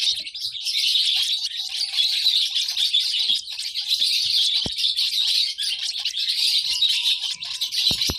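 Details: Baby lovebird chirping in an unbroken stream of shrill, fast tweets, with occasional sharp clicks and faint thin whistles underneath.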